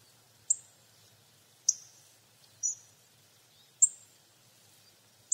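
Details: Hawfinch giving five explosive, high ticking notes, clipped and sharp, spaced about one second apart, with the background otherwise quiet.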